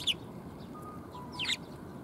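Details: Sparrows coming to be fed at a Tenmangu shrine on 14 February 2021: two short, high, sharp chirps, one at the start and one near the end, with quiet background hiss between.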